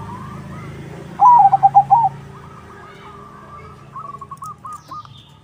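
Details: Crossbred zebra dove in full song, used for luring other zebra doves to reply. A loud, bubbly burst of five rolling coos, then a fainter, more distant trilled phrase answering, over low rumbling noise.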